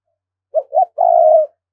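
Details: A spotted dove decoy from Đồng Nai, Vietnam, giving its luring call: a short hoot, a rising second note, then a long steady rolling coo lasting about half a second, clear and without background noise.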